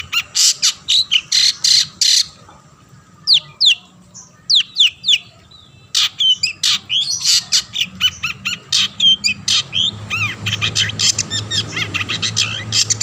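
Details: Long-tailed shrike in energetic song meant to trigger singing in other shrikes: rapid stuttering chatter, upswept whistles and sharp clicking notes, growing denser and harsher toward the end, with a low hum beneath.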